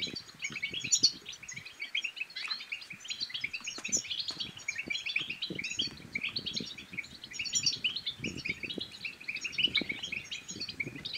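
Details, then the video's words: European goldfinch twittering song, aimed at stirring other goldfinches to sing and mate, runs unbroken for eleven seconds as a dense stream of quick high chirps, with scattered low clicks and rustles beneath. "بتبتات الحسون بتبتة تنطق اي حسون كان صامت سيغرد"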